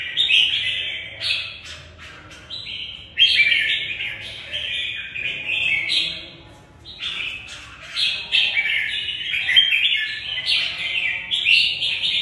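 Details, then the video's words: Red-whiskered bulbul fighting song from a caged bird, dense overlapping warbled phrases in a rapid jumble, possibly more than one bird, with faint low background murmur. "Xem chào mào Mộc bộ vip đấu tốt mãn nhãn người xem"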